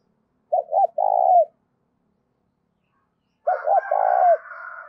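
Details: Spotted dove song played as a trapping lure: two cooing phrases of two brief notes plus a long drawn coo. A fainter, higher warbling bird is heard over the second phrase.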